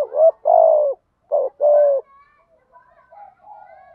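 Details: Spotted dove giving the special 'thổ thúc gù' coo, recorded to train decoy birds. A short note and a long dipping coo, then a repeat of the pair, followed by faint soft trailing notes.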